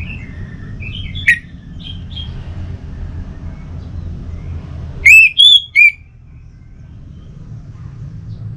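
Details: Lure song of an orange-headed thrush for a bird kept at home: a few faint high notes, then a short, loud phrase of three clear whistled notes, over steady low background noise.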